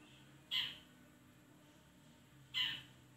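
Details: Long-tailed shrike, used as a lure to get a reluctant bird to sing and reply: two short, harsh, scratchy notes about two seconds apart over a low steady hum.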